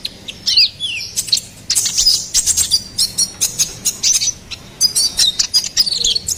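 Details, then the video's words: Ruby-cheeked sunbird song used to tutor and lure songbirds, mixing fast high chirps and clicks with a few thin descending whistled notes near the start. "SUARA GACORAN KONIN KOLIBRI NINJA SERBAGUNA PALING AMPUH"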